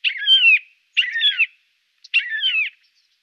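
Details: Siberian jay recorded in Norway uttering three similar grating, nasal calls in quick succession, each about half a second long with a descending lower band, against a silent background.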